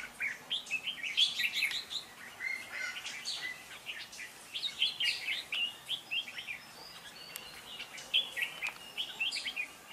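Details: Red-whiskered bulbul dueling song for decoy use and song training: repeated groups of bubbly whistled phrases, each burst about two seconds long, with light background noise.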